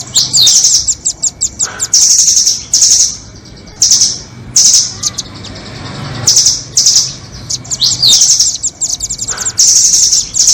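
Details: Lure recording for trapping nuthatches in Indonesia, doraemon and red-billed nuthatch: shrill high-pitched trilled bursts lasting about half a second, separated by runs of fast thin ticks, repeating through the recording over a low background hum.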